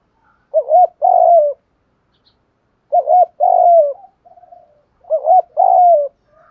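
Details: Spotted dove used as a lure bird to attract other doves, repeating its phrase three times: a short double hoot then a drawn-out coo dropping in pitch, about every two and a half seconds.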